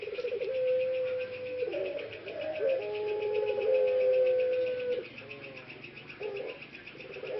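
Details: Ringneck dove (puter pelung), one of three productive caged males in Central Java, Indonesia, regaining a hoarse voice: long sustained coos with rough, wavering stretches and short broken notes between, backed by a steady pulsing hum.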